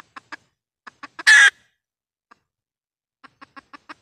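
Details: Red junglefowl hen decoy call for luring wild birds into traps. A few soft clucks, one loud harsh squawk, a brief gap, then a fresh run of quick clucks.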